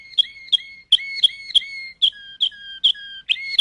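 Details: Waterslager canary, known as Malinois, giving a slow series of clear, flute-like whistled notes, each with a sharp onset, repeated roughly every third of a second.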